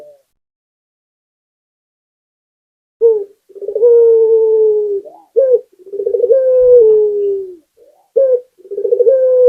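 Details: Local Indonesian puter dove singing vigorously: after a quiet start, a short clipped note is followed by a rolling, pulsed purr that settles into a long, slightly falling coo, repeated three times with short pauses.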